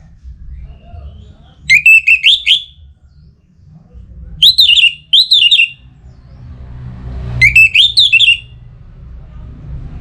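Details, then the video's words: Orange-headed thrush in breeding condition, kept for contests in Singaraja, Bali, singing to a rival: short, varied, warbled phrases of looping up-and-down notes, separated by silences of one to two seconds, over faint low noise. "ANIS MERAH Gacor Pancingan Birahi & EMosi Burung || Kicau memanggil lawan"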